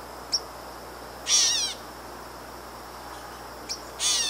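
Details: In Canada, at a pond frequented by leopard frogs, a Gray Catbird gives harsh, nasal, cat-like mews, each preceded by a brief sharp note.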